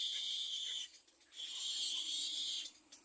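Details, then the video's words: Little egret chick in its second nest calling for food from its parents, a sustained coarse hissing rasp, stopping for half a second before resuming. "Baby bird little egre is crying for food for his parents (2nd nest)"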